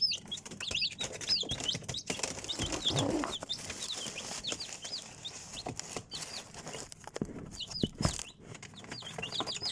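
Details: Chicks peeping constantly: many thin, high whistled peeps, each a quick falling or rising slur, overlapping in a busy stream, over steady rustling and scratching with a few dull thumps.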